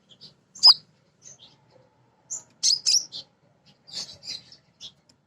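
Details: Female sunbird, a lure bird for prompting untrained sunbirds to sing, gives scattered high, sharp chips and squeaky twitters in short groups with silent gaps between them.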